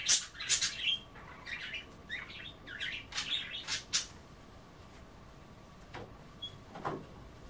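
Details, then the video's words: Budgerigars kept as pets chatter while picking at kale in bath water: a loud burst of rapid, scratchy warbled notes and clicks for four seconds, then quiet with a few isolated ticks. "A day in the life of a Budgie - kale bath and chattering"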